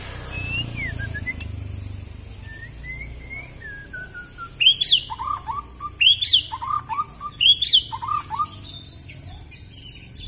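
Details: White-rumped shama of the Kalimantan type, noted for its very long tail, singing strongly and pouring out imitations: gliding descending whistles, then loud sharp rising notes followed by lower clipped notes, phrases repeated about every one and a half seconds.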